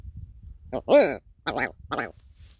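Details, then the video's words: Red grouse calling on snowy moorland, met on a mountain bike ride: a short burst of throaty, croaking notes, one rising then falling, followed by two rougher, rasping bursts. "Talking Red Grouse"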